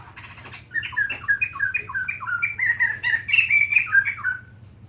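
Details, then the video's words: Long chattering song of a White-crested laughingthrush: a fast chain of looping, up-and-down whistled notes running for about four seconds after a short harsh burst, over a low steady hum. "Burung Poksay Jambul Putih Gacor Panjang"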